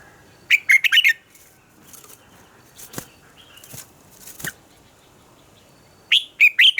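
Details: Red-whiskered bulbul morning song for voice training: an opening rush of four quick warbled notes, a quiet gap with soft taps and rustles, then another similar lively phrase at the end.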